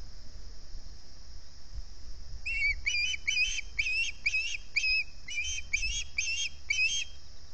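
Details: Early-morning hunger begging from ospreys on a camera-watched nest at Salt Point, 11 August 2020: after a quiet start, a steady series of about eleven clear, whistled chirps, each briefly rising, with faint low rumble behind.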